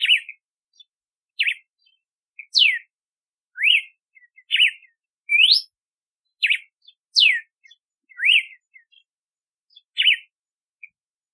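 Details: Red-cowled cardinal song of many clear whistled phrases in quick succession, zigzags, falling slurs, rising sweeps and arches, with a few soft chip notes between.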